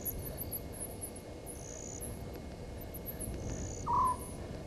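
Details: At a waterhole on Djuma Game Reserve in South Africa's Sabi Sand Wildtuin, a Southern white-faced owl gives one brief hooting note near the end, heard at 00:40 on 17 November 2019 beneath repeated high insect trills and low background noise.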